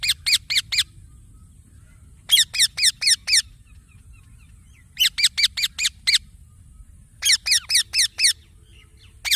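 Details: Green baby parrot calling in four evenly spaced bursts of four to six high, harmonic chirps each, with quiet pauses of about a second between bursts and a faint steady high tone.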